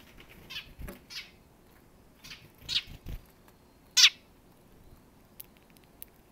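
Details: A sparrow, the first to visit that day, lingering until it flies off: scattered brief sharp chirps with the loudest near the end, mixed with a few soft low thumps.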